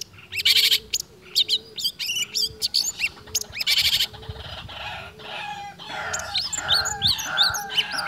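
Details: Long-tailed shrike singing energetically and imitating other birds' sounds in a steady, unbroken stream: loud harsh buzzy bursts alternate with short rising whistles, then a run of quick looping whistled notes near the end.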